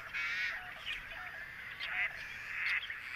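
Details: Greater sandhill cranes at their summer home, Modoc National Wildlife Refuge, wet meadows and ponds of the high desert in northeast California; harsh, rolling calls with layered overtones come in bursts, over a steady background chorus of other calling birds.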